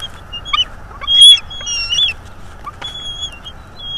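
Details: Bald eagle eaglets, one female and one male by size, at their nest in northeast Florida before fledging, 5-6 May 2022, picked up by a live nest-cam microphone: thin high whistled chirps and slurred squeals in quick irregular bursts.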